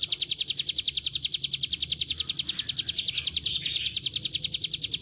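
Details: Bar-winged prinia, known locally as ciblek gunung, singing in a lure recording used to draw wild birds into song: a rapid, even trill of sharp high notes, about three and a half per second, held steadily throughout.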